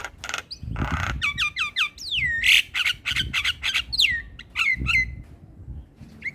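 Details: Javan myna singing in the morning, in a recording meant for young mynas to copy: a varied run of clear whistles, rising and falling slurred notes and harsh rasping squawks in quick succession, over low rumbling thumps.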